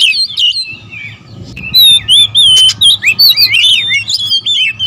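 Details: Several oriental magpie-robins (kacer), a territorial species, singing noisily against each other. After a quieter first second come loud, choppy bursts of clear whistled slurs and chirps, some rising and some falling, in quick overlapping phrases over a faint low hum.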